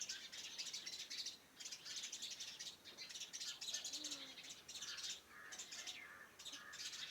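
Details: Several birds sing around a farmhouse in the morning, a busy overlapping chorus of sharp, high chirps that pours on steadily with only short pauses.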